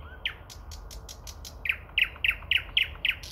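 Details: Common nightingale singing near Moscow in early May: a phrase of six loud, sharply down-slurred notes, evenly spaced about a quarter second apart, mixed with soft clicking strokes.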